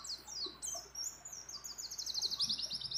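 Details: Among many other birds, a female white-eye in breeding condition calls a male with high, thin chirps that speed into a rapid, evenly pulsed twittering trill.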